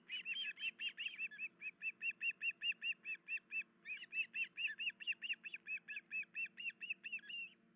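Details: Ospreys alerting at their nest, July 2019, the female injured and unable to feed the chicks; an unbroken series of loud, piercing whistled chirps, roughly two to three per second, briefly pausing once, over a faint low hum.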